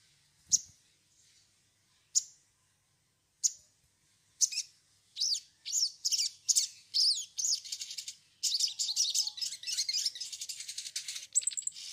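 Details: Sogon singing, used as bait to get birds singing: a few isolated sharp clicks first, then quickening high chirps that build into a continuous, hissing, trilled chatter.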